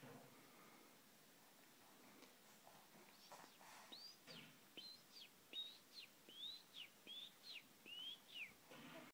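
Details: Moroccan khalwi goldfinch: after a quiet, hissy start, a string of clear whistled notes that rise and fall, some slurred upward, delivered at an uneven pace over the last few seconds.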